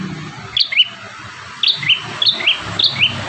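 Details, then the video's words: Bar-winged prinia singing lively, a song used to train caged birds: short, sharp upslurred chips in quick pairs, three pairs in just over three seconds, with a faint low hum behind. "Burung prenjak tamu gacor 5 variasi mantap jiwa"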